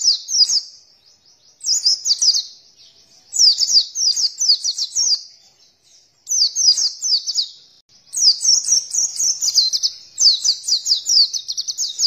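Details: Oriental white-eye lure song meant to prompt kept birds to open their beaks and sing; high, sweet twittered phrases of fast zigzag notes come in bursts of about one to two seconds with short silences between.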